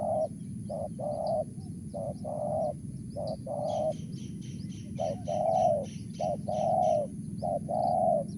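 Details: A wild tekukur or spotted dove in mersik voice cooing in a long run of short-long pairs, roughly one per second, with a burst of fast high chirping from another bird in the second half.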